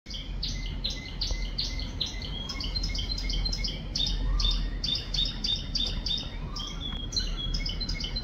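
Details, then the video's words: Canary singing on a rainy day, a lively run of bright, high, repeated chirping syllables changing to new phrases every second or so, over a steady low rumble of rain. "Lovely Canary Singing in Rainy Day / 可爱的金絲雀雨中歌唱"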